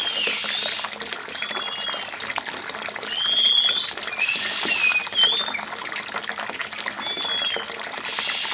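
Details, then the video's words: Oriental magpie-robin heard over steadily running water, used as a water-sound therapy to make the bird respond quickly; short clear whistled notes, some rising and some falling, scattered through the clip against constant watery hiss. "Terapi kacer dengan suara air agar cepat respon"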